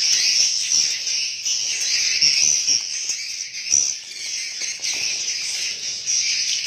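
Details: Swiftlets inside a swiftlet house, a dense continuous wash of high chirping and twittering from many birds with no pauses, steady throughout with faint low clicks.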